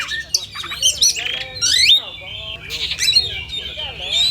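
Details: Oriental magpie-robins in a simulated song contest give sweet rising whistles, rough buzzy notes and a few sharp chips, with a long thin whistle held near the end.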